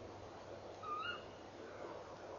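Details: Female tawny owl sitting by her nest box at 04:33 on 3 December 2013 after an hour eating inside, calling before flying off; one short rising, slightly hoarse call with overtones, over a steady low hum and background hiss.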